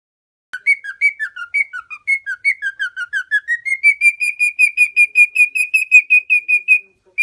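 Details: Pet male lutino cockatiel, four years old, tame, from a home in Minoh, Osaka, Japan, singing continuously: a steady run of clear whistled notes, about three per second, first dipping and wavering, then settling into an even, level repeated whistle; no other sounds.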